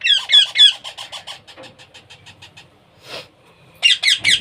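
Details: Baby parrot, hand-fed, gives rapid grating squawks that fade into softer, quicker chatter. A brief low rustle follows, then three loud squawks close the sequence.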